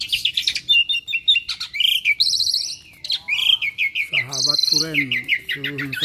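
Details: Lively Asian pied starling that mimics other birds, pouring out rapid chirps, buzzy trills and whistled slides. Midway it breaks into several harsh, nasal, drawn-out notes before more high chirping.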